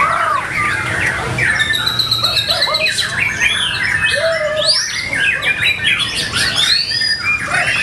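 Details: White-rumped shama singing at a bird-singing practice contest: loud, rich whistled phrases with sharp up-slurred notes and quick varied flourishes, over a dense chorus of other songbirds singing at the same time.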